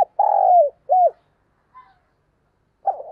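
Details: Spotted dove calling as a lure in the morning: one long, gently falling hollow coo followed by a short rounded note, a faint distant chirp, then the start of the next phrase.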